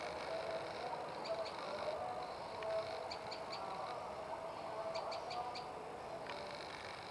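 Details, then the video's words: Prenjak lumut, a tailorbird, sings short bursts of three to five quick high chipping notes separated by gaps of a second or more, with a constant low hum and faint tonal background sounds. "Burung Prenjak Lumut Istimewa"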